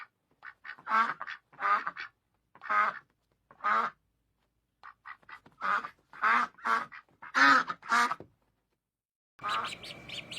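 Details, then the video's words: Ducks quacking: harsh, nasal quacks in short bursts, about a dozen over ten seconds with brief pauses between groups, ending in a noisier burst of a different sound in otherwise quiet surroundings. "PATOS- SOM DE PATO- DUCK SOUND"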